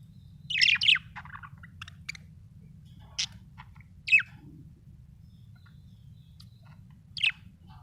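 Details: Happy budgerigar chirping: short scattered bursts of bright, scratchy chirps and warbles, spaced a second or more apart, with low steady hum underneath.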